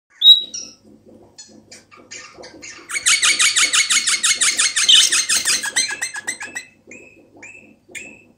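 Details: A hand-tamed pet eastern rosella, described as laughing, gives a sharp whistle, then a fast run of rapid, harsh chattering notes for about three seconds, followed by softer chips and short whistles.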